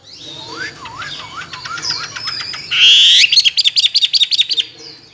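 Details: Caged tame Chinese hwamei, two years kept, strong in contest singing with many wild voices: rising looped whistles, then a loud harsh burst and a rapid run of about ten repeated bright notes.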